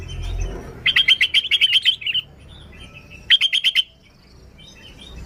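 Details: Lure song of a sooty-headed bulbul: two fast rattling series of evenly spaced chirps, the first longer with about ten notes, the second shorter, amid quiet low background rumble.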